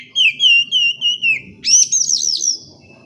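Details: Oriental magpie-robin song played to stimulate birds that will not sing: a whistled phrase of slurred, wavering notes near one pitch, then a higher, rapid run of sharp twittering notes.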